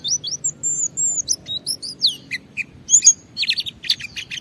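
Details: White-eye in full ngalas-style song, used to stimulate other white-eyes to sing: a rapid, varied twittering stream of high whistled slurs and chips, turning into dense buzzy trills toward the end.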